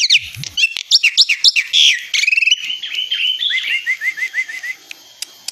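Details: Black-winged myna in full song, quick sequences of sharp whistled chirps and trills, then a descending run of short repeated notes fading toward the end.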